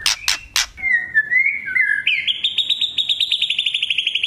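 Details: Provoking lure song of a spotted young white-rumped shama: three loud cracking clicks open, followed by slurred whistles rising stepwise into a long rapid buzzy trill.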